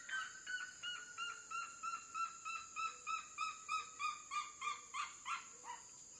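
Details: Red-legged seriema singing: a rhythmic series of loud, yelping, harmonic notes, about three per second, growing harsher and broader toward the end, over a steady high-pitched insect drone.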